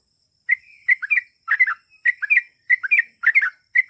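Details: Sooty-headed bulbul singing bubbly, slurred two- and three-note phrases in quick succession after a short pause, with a faint steady background hiss.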